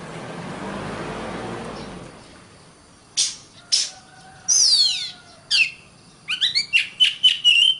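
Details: Oriental magpie-robin (kacer) in a long master recording for training songbirds: after two seconds of low background rumble come sharp clicks, a long descending whistle, a faint tone, then a quick series of rising chirps ending in a steady whistle.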